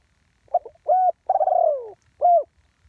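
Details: Spotted dove, live recording of a decoy bird on the ground using the one-kuk style: low stuttering lead-in, a steady coo, a long burred coo sliding lower, then a clean closing coo; background quiet.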